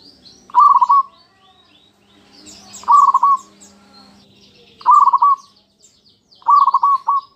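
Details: Local zebra dove lure song for getting other doves to answer: four short rolling coo phrases spaced about two seconds apart, each ending in a brief tail note, with twittering small birds high in the background.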